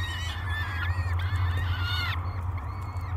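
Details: Peregrine falcon nestlings, three of them, beg hungrily while being fed at Great Spirit Bluff, 24 May 2022, via live nest cam: overlapping rasping, harmonic wails sliding up and down, then a thinner squeal, with a low hum beneath.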